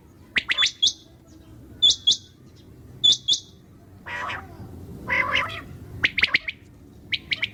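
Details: Night calling of common quail: short triple-note phrases of clipped, bright notes spaced about a second apart, with a couple of rougher, buzzier bursts midway and faint low rumble beneath.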